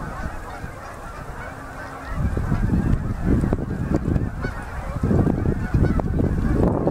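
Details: Migrating Canada geese pouring onto a Manitoba river at an October 2018 sunset: softer honking chorus with a low hum, then from two seconds a surge of loud wing-rush and crowded honks.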